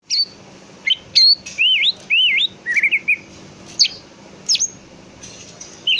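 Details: Greater green leafbird song used to lure another leafbird into answering and singing: loud, clear whistled phrases, some sweeping up and down, others sharp high notes, delivered in short bursts with brief pauses between them.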